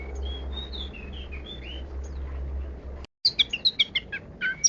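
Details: Long-tailed shrike, 'kaya rasa' varied song: faint slurred whistles over steady low hum, a brief cut, then a clearer string of sharp chirps and twittering notes.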